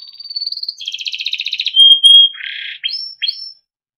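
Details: Timbrado canary singing for training: a thin high sustained whistle, a rolling pulsed trill, a loud pure steady tone, a short buzzy burst, then two sharp rising notes before silence.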